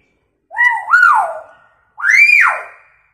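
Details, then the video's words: Hill myna copying siren and screaming sounds, a lure sound for mynas that often stay quiet: two loud swooping whistled phrases, each climbing steeply then falling away, about a second apart. "Beo gacor suaranya unik sperti bunyi sirine & teriakan wanita"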